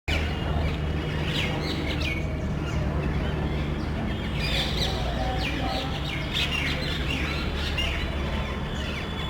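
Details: A small group of parrots in a residential neighborhood, searching for nest sites around electrical and TV cable boxes, give loud, harsh screeching calls. The calls come in rapid overlapping bursts under a steady low background hum.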